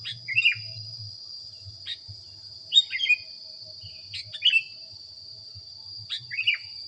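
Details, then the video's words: Training recording of a sooty-headed bulbul: brief liquid whistled phrases, each falling then flicking, repeated roughly every one to two seconds above a constant high-pitched whine and low background hum. "suara masteran kutilang anti gagal"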